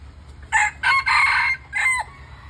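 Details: Red junglefowl crowing with a clear voice, close to everyday nature: four loud harmonic bursts, a short note, two longer joined phrases, then a final note that slides downward and cuts off, over a low steady hum.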